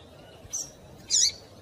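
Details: Female double-collared seedeater call meant to excite males into song: a soft high chip followed after half a second by a louder, longer, slightly harsh high note, steady faint background hiss.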